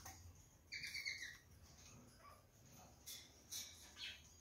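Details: A caged pair of Gouldian finches pecks at digestible jute placed in their nest that morning; one drawn-out, slightly nasal call with stacked overtones lasts about half a second, followed by soft pecking clicks and rustling.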